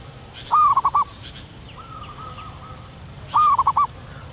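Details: Soft call of a wild local zebra dove: two clipped, rolling coo phrases about three seconds apart, with a fainter drawn-out coo between them. A steady high whine sits in the background.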